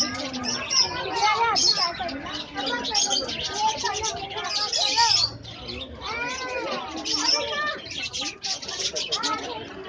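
Lovebirds chatter almost nonstop in shrill, squeaky chirps and rising-falling twitters, several birds overlapping in a busy jumble.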